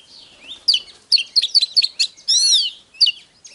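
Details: Oriental magpie-robin singing in the hót déo style, a recording used to provoke other birds to fight. Sharp varied whistled notes and short chirps come in quick bursts, ending in a rich arched warble.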